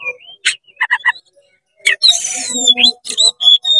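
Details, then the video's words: Oriental magpie-robin singing eagerly to stir up other magpie-robins: a rising whistle, a few quick chirps, then a long burst of rasping buzzy song with bright whistled slurs and repeated clear notes. "CEPAT GACOR BUKA EKOR DONGKRAK EMOSI KACER KONSLET BIKIN KACER LAIN PANAS"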